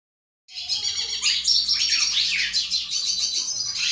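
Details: Tarin goldfinch singing to a female Belgian canary: after a brief silence, a continuous, dense, high twittering song of rapid trills, buzzy chatter and sliding notes without pause.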